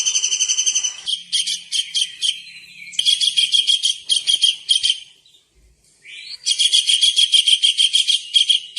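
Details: Long-tailed shrike song used as a training recording for songbirds: dense, scratchy, buzzy phrases in rapid pulsed bursts, broken by short pauses, with one rising sweep before the final long burst.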